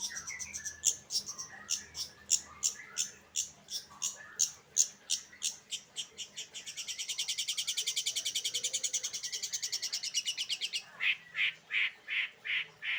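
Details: Late-afternoon song of a long-tailed shrike, opening with sharp notes repeated about twice a second, then a dense rapid buzzy trill, ending in loud separate harsh notes.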